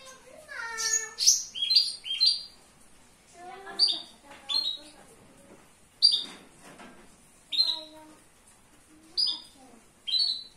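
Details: Indoor Javan bush lark in full, lively song, with a run of descending chirped notes and then high slurred phrases repeated roughly every second or two over a soft room background.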